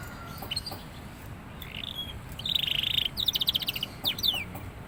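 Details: A few scattered high notes, then a young canary, just coming into song, delivers a steady buzzy trill followed by fast rattling note runs and a downward sweep.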